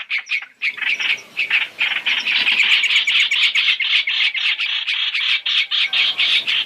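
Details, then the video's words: Three-in-one lure of Chinese hwamei for trapping: starts with a few spaced harsh notes, then builds into rapid, regular chattering at about four notes per second. "Tiếng chim hoành hoạch (trao trảo) mồi 3 trong 1 chuẩn để bẫy"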